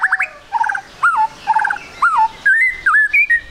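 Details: Trotol song of a white-rumped shama (murai batu), played as a lure to make the bird sing: varied rich whistles, quick triple notes and looping slurs, with pure sustained whistles near the end.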